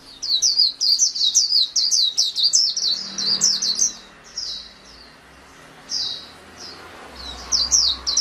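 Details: Rapid, continuous twittering from a white-eye (pleci) for four seconds, then thinning to scattered high chirps with gaps; faint low rumble in the second half.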